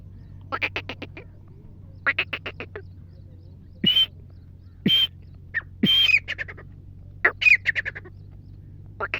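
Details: Black francolin, described as a wild desi bird from Sindh, possibly a female: bursts of rapid clicking notes alternate with loud, harsh, grating calls, some with a thin whistled tone, over a steady low hum.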